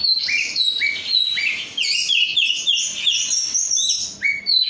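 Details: Untrained captive oriental magpie-robin, 'rudal korea' kacer, singing energetically: repeated rising whistles, warbled phrases and high bright notes in quick succession, short pauses between bursts.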